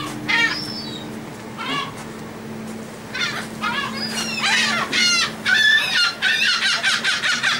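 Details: Seagulls crowding a ferry from Texel in the Netherlands during feeding, 28 March 2014, uttering repeated rough, falling yelps that grow into a rapid, overlapping clamour, with a constant low engine tone.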